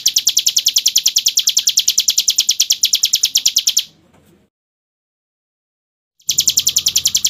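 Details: Ngebren song of a hill prinia from a tutor recording: nearly four seconds of fast, shrill repeated chirps, then about two seconds of silence, after which the high rattle starts again.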